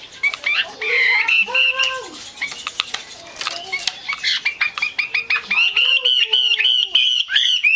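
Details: Female Chinese hwamei, kept to stimulate singing males, chatters in rapid high notes, while lower sliding tones and sharp clicks intrude in the middle before the fast chatter returns.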